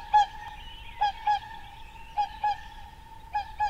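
Whooper swan giving loud, trumpeting honks, mostly in pairs about a second apart, seven in all, over a faint steady background hum.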